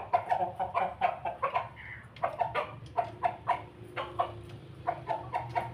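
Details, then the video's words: While eating, a Pelung rooster keeps up a steady laughing crow, a long chain of loud, staccato, cackling notes at a brisk even pace with short gaps. "ayam pelung jago ketawa berkokok"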